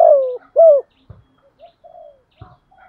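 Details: Spotted dove in 'gù thúc' calling style from southern Vietnam, kept as a decoy: a long falling coo followed by a shorter arched coo, then soft murmured notes and a couple of light knocks.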